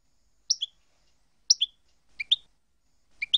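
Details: European goldfinch song phrases from a compiled full tape of expert-approved segments: four bright, high two-note chirps about one per second, each a sharp upper note dropping to a lower one, over silence.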